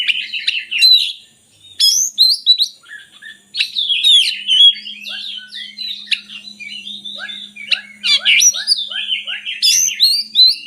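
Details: Oriental magpie-robin singing as a lure for lazy birds: loud varied whistles and sharp rapid notes, a row of short descending low chips, and a faint steady low hum running underneath.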